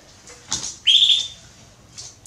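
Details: A female Belgian canary soliciting mating utters one strong, high, sustained chirp after a brief rustle, followed by faint scratching noises.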